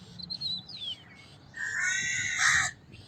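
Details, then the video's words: Crow giving one long, drawn-out hoarse caw that swells toward its end, preceded by faint high chirps of a smaller bird. "Sound of a Crow - Crow Cawing Sound Effect - Crow Voice Sound - Crow Calling Sound"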